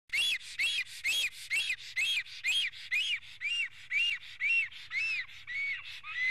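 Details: Black stork, a male at its nest in Karula, Estonia, on a live nest camera, 19 May 2017 late morning, upset by an intruder near the nest just before the first chick hatches: loud arched whistled notes repeated about twice a second, fourteen in a row.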